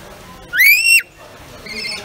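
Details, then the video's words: Whistling pet rainbow lorikeet: a single clear, arched whistle that rises, holds and drops, followed by a fainter buzzy note. "Rainbow Lorikeet Making Calls"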